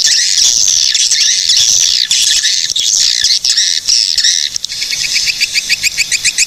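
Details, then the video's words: Swiftlets in Cilacap, Central Java, Indonesia, calling. High, buzzy, wavering twitters run together for several seconds, then give way to a fast series of sharp repeated chirps. "SUARA BURUNG PANGGILAN WALET GACOR"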